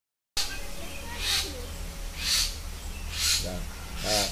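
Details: Three young common myna chicks in India giving harsh, raspy, hissing calls, each a broad burst lasting about half a second and repeated roughly once a second, over a steady low hum.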